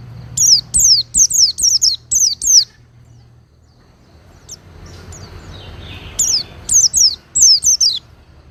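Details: Oriental white-eye singing, recorded for mastering cage birds: a run of about seven high descending whistles, three seconds of quiet hiss, then another quick series of similar slurred notes.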